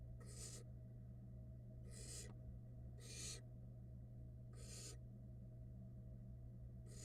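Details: Downy barn owl chicks in a Florida nest box as the female feeds them, giving five rasping hissed bursts spaced about a second apart, with a constant low hum underneath.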